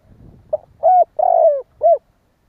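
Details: Spotted dove "kích bổi" call: after faint low rumbling, a clipped note leads into a coo, an extended descending coo and a last rounded coo, all mellow and mid-pitched.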